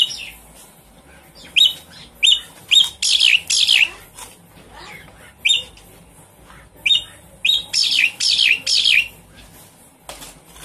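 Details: Javan pied starling lure to restart singing in a quiet bird: chains of short, harsh, squawky notes repeated about twice a second, building into louder rasping bursts, then a pause and another similar run.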